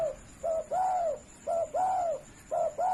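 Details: Spotted dove, tame and uncaged, calling persistently for use as a master recording for training birds. It gives three paired phrases, each a short low coo followed by a longer, arching coo, roughly once a second, over a faint steady high whine.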